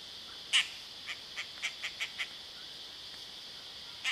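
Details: Dollarbird in Sydney, Australia: one loud harsh note, then a short run of five or six rasping notes spaced about a third of a second apart, and another harsh note at the end, against a constant high insect drone.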